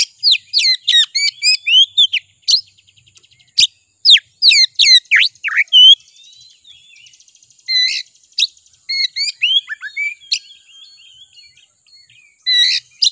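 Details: Oriental magpie-robin (kacer) used as a lure to excite other kacer into singing; rapid bursts of sharp whistled and rasping notes, steep slurs and trills in quick clusters, brief pauses, a faint buzzy chatter between phrases.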